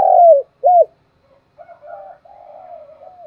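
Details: Morning lure call of a spotted dove: a loud falling coo and a clipped arched note, followed by quieter, more distant drawn-out coos from another dove.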